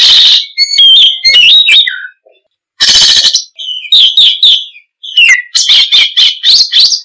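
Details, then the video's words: Oriental magpie-robin pouring out a busy song of rising and falling whistles and harsh buzzy notes, then a run of rapid, evenly spaced sharp chirps toward the end. "Suara Kicau Burung Kacer - Ngoceh Gacor"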